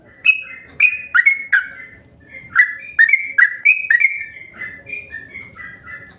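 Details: Yellow-vented bulbul lure sound to prompt continuous singing: a string of clear whistled notes, each slurring downward, delivered in uneven bursts and growing softer toward the close.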